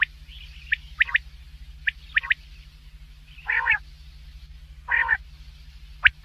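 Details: Common quail calling at night, recorded for hunting in Pakistan: short quick triple notes in pairs of bursts, with two louder rough, buzzy calls between them, over a steady low electrical hum.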